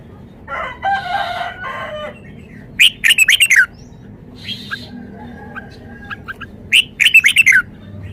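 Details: Red-whiskered bulbul kept in a cage, showing its song repertoire: a harsh chattering burst, then two bright phrases of five or six quick whistled notes about four seconds apart, with faint softer notes between.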